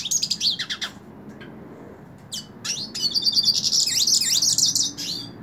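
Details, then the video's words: Hooded siskin in the hand: scattered high chips and downward slurs, then a sustained run of twittering, rapidly modulated warbles that rises in loudness and continues for about two seconds. "Cabecita Negra Canta En La Mano / Pintassilgo Cante Na Mão"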